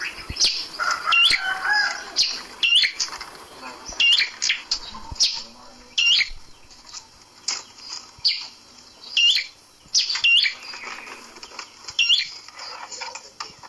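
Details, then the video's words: Prinia kept in a cage and hung up so it becomes tame sooner, repeating thin, high, upward-flicking chirps roughly once a second over a soft background of scratchy twitters. "Prenjak kepala merah dijantur agar cepat jinak"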